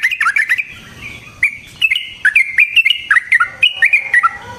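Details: Rolling 'ropel panjang' song of a yellow-vented bulbul, played as a lure to make other bulbuls sing and to catch them: a short burst of clipped notes, a silent gap, then a steady run of bubbly, slurred chirps.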